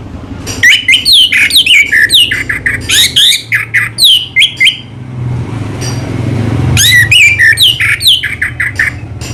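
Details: Anis merah (orange-headed thrush) singing 'selow': dense, repeated scratchy and whistled downslurred notes in quick succession, a brief break with low background rumble, then the chattering phrase resumes.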